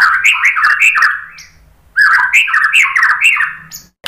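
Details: White-rumped shama song used as a lure to draw answering song: two bursts of rapid, loud, varied whistled and chattering phrases, each sliding and looping through mid-high notes, separated by a short pause.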